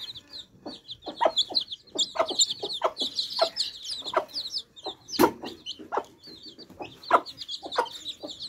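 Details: Baby chicks drinking fresh water produce a busy chorus of shrill, high peeps, with rapid short broad taps repeating underneath and a louder sharp knock midway.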